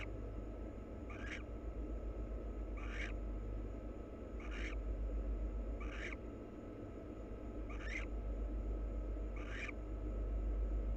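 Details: A wild barn owl pair preens; six short hoarse calls come at a steady rhythm roughly every one and a half seconds, with a low continuous hum in the background.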